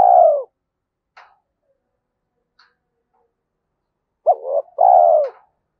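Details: Spotted dove singing in the 'giọng thổ' voice style, described as suited to the forest when setting traps; one falling coo, a quiet gap, then a stuttered note followed by a longer downslurred coo.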